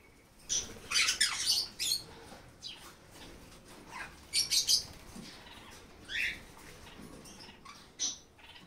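Black-capped Parakeet giving harsh, screechy squawks in short bursts, some clustered in quick runs, others single, spread over about eight seconds.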